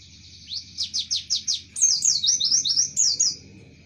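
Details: Javan white-eye song mimicking Java sparrow (tembakan gelatik): five loud rising chirps in even rhythm, followed by quicker high descending twittered notes, with a faint low hum underneath.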